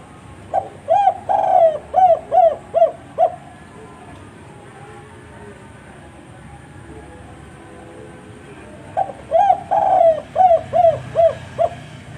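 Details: Spotted dove cooing twice in a row: each phrase opens with a short coo, swells into a drawn-out double coo, then several brief repeated coos about half a second apart; steady background noise between phrases.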